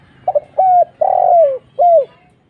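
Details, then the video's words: Spotted dove used as a lure call: a short double stutter, then three loud, hollow coos around mid pitch, the long middle note sliding downward, the last note arched and falling. "suara burung tekukur kuk 1"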